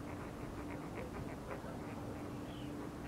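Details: Chilean flamingos in courtship in winter, 7 August 2024, at Laguna Urtiz nature reserve, Río Gallegos, Santa Cruz, southern Patagonia, Argentina: faint, steady, honking notes roughly every fifth of a second over low rumbling background noise.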